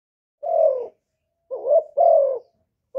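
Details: Decoy spotted dove from Cà Mau, Vietnam, cooing to lure wild doves: one long, slightly falling coo, then a short two-part note run straight into another long descending coo. The background is quiet.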